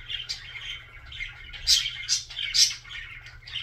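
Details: Budgerigar singing a fast, scratchy warble, chirps tumbling quickly and peaking in three loud squeaky bursts near the middle, above a quiet hum.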